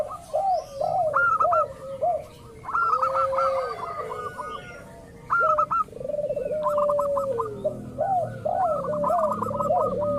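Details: Several local zebra doves heard in a lure recording to get other birds calling; bouncing trilled coos alternate with smooth sustained falling notes, while rapid staccato notes repeat in bursts with short pauses between.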